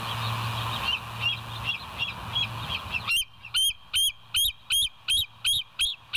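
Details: Bald eagle at West End, filmed by a live nature cam on 7 July 2023 at 06:21: faint piping notes over steady hiss and low hum, then a loud series of about nine high, sharp, slightly bent whistled chips, roughly two per second.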